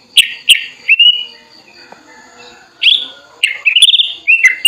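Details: Tame sooty-headed bulbul, raised from young, spreading its wings toward a rival; sharp chirps early, a long quiet gap, then a burst of bright chirps and a quick rattling trill ending in slurred notes; faint hum behind.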